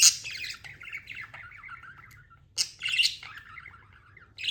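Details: Pet budgerigar calling: a loud high chirp opens a run of busy, scratchy warbling that fades out, then another sharp chirp leads into more chattering, with a final loud note at the end.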